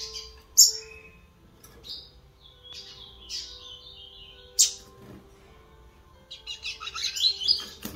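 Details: Double-collared seedeater chick practising Terceira Nota / Laranjeira song, 11 September 2021: scattered sharp high chips and short slurred whistles, ending in a quicker run of twittered notes over a faint hum.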